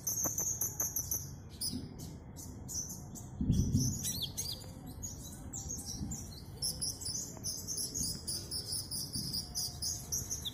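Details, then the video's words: Caged Van Hasselt's sunbird singing actively and showing off its mimicked fill-in phrases: dense, fast, high thin chirps and twittering notes, some short trills, with a low rumbling background and a brief thump near four seconds. "Kolibri Ninja Gacor bongkar isian"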